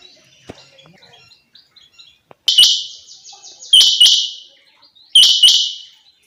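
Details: Calls of a female quail, known locally as chinga batair, from 2023: three loud bursts of high, ringing whistled notes about every one and a half seconds, each with a sharp click at its start, over quiet faint background sounds.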